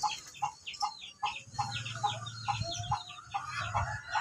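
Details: Ayam Ketawa (laughing chicken), a long-duration type bird being trained to crow for a long time: a quieter run of short, clipped syllables, about two or three a second, with low background rumble.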